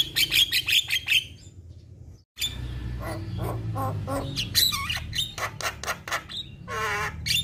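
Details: Young Asian pied starling singing steadily: rapid clicking bursts, a brief pause, then mixed squeaky notes, scratchy chatter and a wavering nasal trill near the end, over a low background hum.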